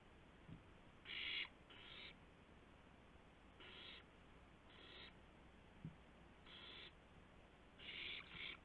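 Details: Owl carrying a gopher to another owl in the early morning darkness of 2 April 2016: rasping hissed bursts in loose pairs and singles, short and harsh, with occasional faint knocks.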